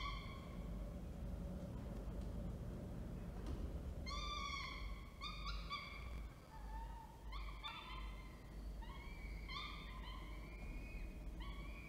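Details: Orange, New South Wales, 19 October 2024: male falcon with a food delivery, female feeding; after a quiet start, rapid runs of harmonic wailing notes follow, some lower and some rising, over continuous low background noise.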